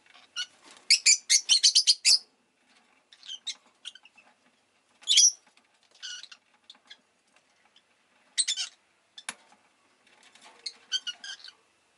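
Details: Rosy-faced lovebird chattering: a rapid run of shrill repeated chirps at the start, then sporadic loud chirps and softer twittering notes across the rest.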